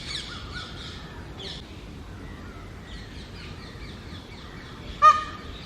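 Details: ['Male peacock calling in mating season to attract females from its rooftop territory; a brief, loud, harmonic shriek comes near the end after a stretch of soft chirps from other birds.']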